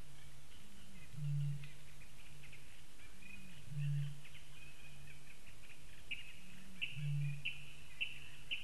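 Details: A Eurasian bittern booms three times on a late-May evening (28 May 2015) in Latvia, each boom a soft intake followed by a deep, foghorn-like 'whoomp' roughly every three seconds, with faint songbirds chirping in the background.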